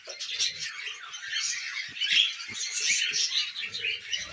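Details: Tamed budgerigars kept as pets while eating millet, producing a steady wash of busy, scratchy warbling chatter from several birds, with soft low taps underneath.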